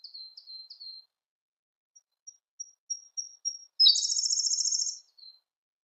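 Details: Song of a Siberian blue robin: soft high notes, then a row of spaced thin pips, then a sudden loud, rapid rattling trill held for about a second, with one faint note after.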